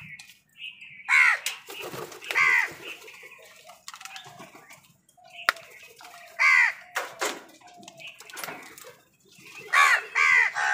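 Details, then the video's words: Hoarse crow caws, about five in all, ring out amid other birds' chirps and wing noise while crows and wild birds squabble over food. "Crow Soud কাকের ডাক"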